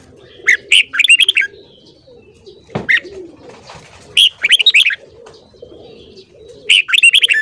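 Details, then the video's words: Morning singing by a red-whiskered bulbul, with several quick, jaunty phrases of liquid whistles and a brief thump in between, over a soft murmuring background. "Luyện giọng chào mào hót sáng .kích giọng chào mào hót hay"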